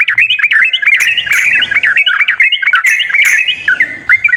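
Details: Sooty-headed bulbul song for coaxing a silent bird to sing: a dense, chattering string of warbled whistles rolling up and down, with a few scratchy accents, continuous throughout.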